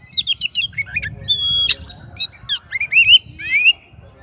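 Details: Singing oriental magpie-robin calling its rival, a rapid mix of chattering trills, a long pure whistle and rising slurred whistles, varied and energetic.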